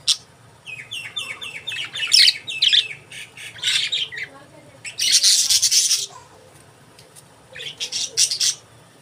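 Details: Budgies chirping busily: rapid repeated high chirps, rasping squawks and a dense noisy burst lasting about a second, then a pause before more chattering.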